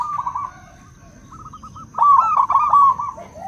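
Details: Zebra doves, local and crossbred birds, answer one another with mellow cooing song. A short stutter opens, a quieter row of clipped notes follows, then a loud rolling trill of rapid notes closes.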